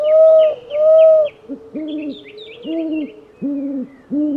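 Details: Owl giving two long, steady tonal hoots followed by shorter arched, harmonic-rich hoots repeated about once a second, with faint high chirps of other birds above.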